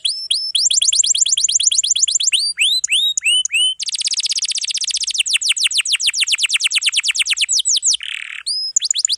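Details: Canary in full song with long rolls, recorded for training young or non-singing birds: rapid rising whistled notes in quick succession, a dense buzzy trill in the middle, then more fast sweeps and a short rasping burst near the end.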